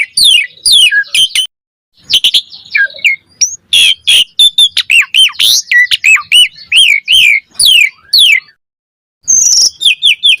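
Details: Gacor song of the Asian pied starling, played as a lure to provoke an answer: harsh squawky chatters and twisting high notes in bursts, broken by two short silences.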